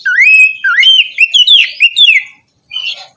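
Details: Shama song for a morning session to encourage a reluctant bird: a long rising whistle, then a quick string of fluty slurred notes, a short pause and a final buzzy phrase.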